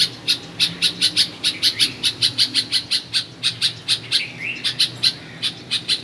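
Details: Singing bulbul recorded at a house in Karachi, Pakistan: quick series of sharp high chirps, a short upslurred whistle near the middle, then sparser chirps toward the end.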